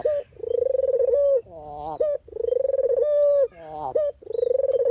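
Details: Dove (puter/deruk) call used for training and as a trap lure. It gives repeated phrases, each a pulsing trill that becomes a steady coo, separated by short harsh chuckling notes, about three cycles.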